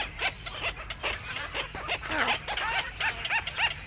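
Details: Black-crowned night herons returning to the nest in the evening give a rapid, overlapping chatter of harsh, yelping notes, several per second, from more than one bird.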